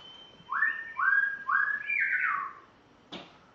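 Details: Spotted morning-thrush from Tanzania on its first day in a new home, kept indoors, singing three rich, clear whistled notes in a row, then a sliding, falling phrase, ending with a short sharp click.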